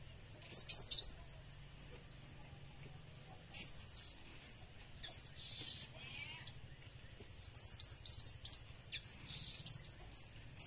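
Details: Blue-crowned hanging parrot recorded for use as a lure: thin, very high chirps in bursts near the start, around four seconds, and from about seven seconds on, separated by quiet gaps, with a steady faint high hum throughout.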